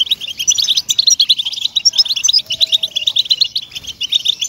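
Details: European goldfinch song played to encourage captive goldfinches to sing: high, twittering phrases of quick chirps and short buzzy trills, almost continuous, with brief dips between bursts.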